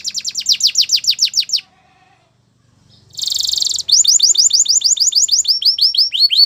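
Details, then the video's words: Canary training song: a rapid trill of falling notes, a pause with a faint low tone, then a buzzy roll followed by a long run of bright, quickly repeated slurred notes. "Canary's Most Powerful Song For Training"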